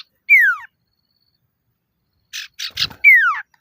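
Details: A male common iora calling actively to lure rivals gives a loud whistle sliding downward, then after a two-second gap a run of three harsh chattering notes and another identical falling whistle.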